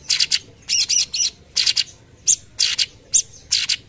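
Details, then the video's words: Cucak cungkok bulbul in strong song, giving rapid, sharp, high-pitched bursts of several short notes each, repeated roughly every half second with brief pauses; used as a training recording for other birds. "tembakan cucak cungkok gacor"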